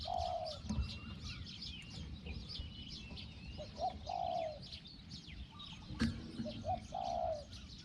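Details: Small-voiced decoy spotted dove calling to attract wild doves. Three moderate hoarse coo phrases, each a brief note then a longer falling coo, over strong high insect noise and a sharp knock.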